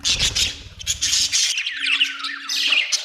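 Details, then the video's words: Budgie chirping: dense scratchy chatter, then a few thin rising squeaks and warbles, with a faint steady tone underneath. "budgie chirping sound"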